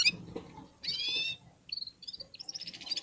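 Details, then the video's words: Red-fronted serins sing in unison after feeding: high, thin twittering phrases with a bright buzzy trill and quick tinkling notes. Other small finches, including goldfinches, call softly alongside. "Попели поели и опять попели в Унисон Красношапочные вьюрки"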